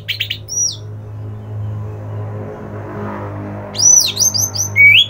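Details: Song of an orange-headed thrush: brief high notes at the start, a long stretch of low hum, then a run of clear high whistles ending in a rising note.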